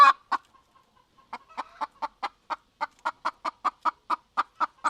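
A chicken clucks in a quick, steady run of short, hoarse notes, several each second, after a few louder opening clucks.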